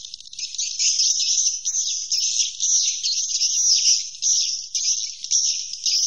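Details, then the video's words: Swiftlets produce a continuous high twittering trill in their roosting call, with brief dips in loudness every second or so, and no other sounds. "Suara Inap Walet"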